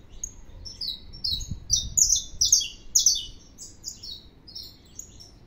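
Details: Saffron finch in full song: high chirps build into a loud series of buzzy downslurred notes around the middle, then scattered softer phrases. Low thumping noises briefly sound beneath the bird.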